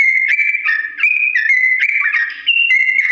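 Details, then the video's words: A Sooty-headed bulbul sings a slow, long ropel song, recorded to help birds learn to imitate. Steady whistled tones jump back and forth between two pitches in a continuous run, with quick twittery flourishes between some notes. "TRUCUK GACOR ROPEL PANJANG NADA PELAN ‼️ UNTUK BURUNG TRUCUK CEPAT MENIRUKAN"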